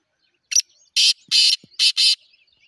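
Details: Black francolin, known locally as titar sultan, giving harsh, grating broadband notes: a short first burst, then two pairs of loud rasping bursts within under two seconds, in otherwise quiet surroundings.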